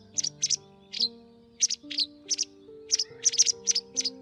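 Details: Calls of the white wagtail from a trapping lure for migrating birds, 2020 season: clipped, high paired chirps in irregular groups with short silences, over faint sustained background music.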